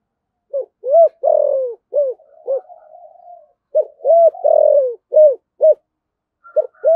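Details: Spotted dove giving fast thúc gù cooing in thổ sấm voice style, with calling: quick runs of deep, arched coos, some drawn out, a soft purring murmur in the middle, then another rapid run.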